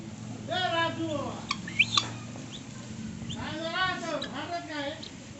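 Guineafowl give two bursts of harsh, nasal, rising-and-falling cries, about a second each and three seconds apart, with a few sharp clicks and a low hum underneath.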